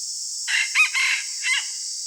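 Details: Red junglefowl decoy cock crowing in the morning, a broken phrase of four parts: a rasping start, a loud stressed note, a long harsh middle and a short clipped ending, with constant high insect buzzing behind.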